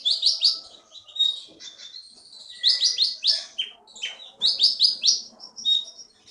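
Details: Caged keety (konin) songbird of Bangka, Indonesia, winner of local bird contests, pours out fast runs of bright slurred high notes in rolling trilled phrases.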